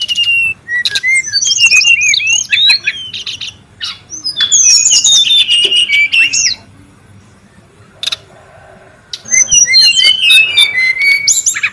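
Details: Brown-chested jungle flycatcher calling busily in the wild, used as a lure and tutor song: rapid bursts of sweet, high whistles and chirps, sliding up and down, broken by two short quiet gaps, with a faint low background hum.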